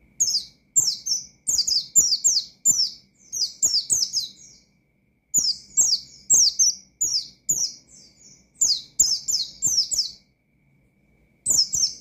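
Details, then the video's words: Gacor Oriental white-eye in ngalas style, aimed at rivals: long series of rapid, piercing, downward-sliding chirps in grouped volleys separated by brief silences, light clicking underneath. "Burung Pleci Gacor Ngalas Nembak Mangil Lawan,Memicu Emosi Pleci Bahan"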